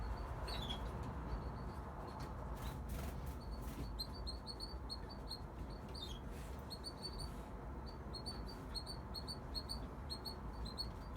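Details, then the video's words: A young male red factor canary sings bright, high chirps and quick trilled phrases in bursts to impress his brothers and father, over a steady low rumble of background noise. "Singing canary"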